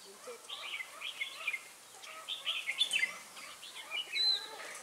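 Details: A red-whiskered bulbul at a bird-trapping site in Vietnam on 18 December 2016 gives bright, chattering warbled phrases in short bursts about every second over a steady background hiss.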